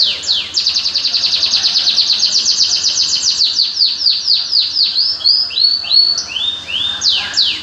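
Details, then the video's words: Energetic bird song opening with a long buzzy trill, flowing into rapid downward-sweeping notes and ending with stepped rising whistles and a final sweep. "Kicau mania Randangan BC ( knr )"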